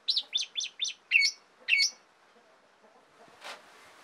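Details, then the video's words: An Asian pied starling in full song gives a quick run of five clear, slurred whistles, then two louder, fuller notes; a soft hiss follows near the end. "JALAK SUREN GACOR"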